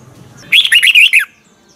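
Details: Single short phrase from a Red-whiskered bulbul's double twisted morning song for bird training: a clear, lively burst of five or six quick slurred notes ending in a falling note.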